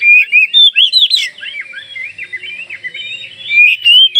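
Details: Lively song of an Oriental magpie-robin from Kalimantan, meant to make other magpie-robins reply; loud, sweet whistled notes and buzzy accents, then a quicker rippling run of slurs, rising again at the end.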